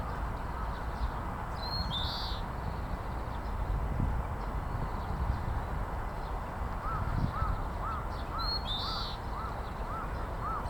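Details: Oriental greenfinch song phrases near the start and again near the end. A brief high note leads into a harsh buzzing trill. Another bird gives a run of repeated lower, arched calls late on, over constant low background rumble.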